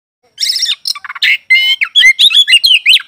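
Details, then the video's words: An oriental magpie-robin sings a rapid, varied song of bright whistles, buzzy chatters and sweet slurred notes, mostly high-pitched, with hardly a pause. "Suara burung Kacer pagi siang malam"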